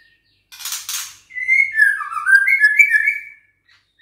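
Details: Six-week-old juvenile white-rumped shama of Bahorok lineage, caged, fighting back when challenged: a brief noisy burst, then a run of loud whistled notes near mid pitch, wavering and stepping up and down in a continuous phrase.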